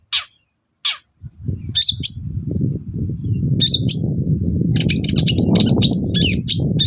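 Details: Long-tailed shrike in active song, meant to stir silent shrikes into singing. Sharp ticks open into quick warbled and chattering phrases, accompanied by continuous low background rumble.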